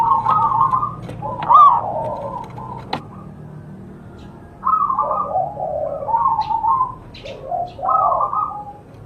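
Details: Wild local zebra dove, singing frequently, near a homemade bird trap. Soft rolling coos in repeated staccato phrases, with pauses between phrases and a sharp click partway through.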